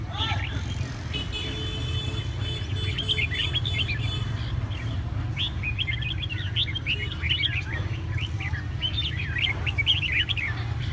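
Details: Hà Tĩnh red-whiskered bulbul, Vietnam, in a dense, chattering stretch of song: after a few seconds of steady tones, rapid jumbled whistles and twittering notes pour out almost continuously over a persistent low hum.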